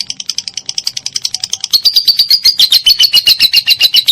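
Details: Lovebird 'ngekek' chatter in konslet style, used to train songbirds such as cendet and cucak ijo: quick, softer chattering notes that turn into a louder, harsher, rapid buzzing rattle partway through.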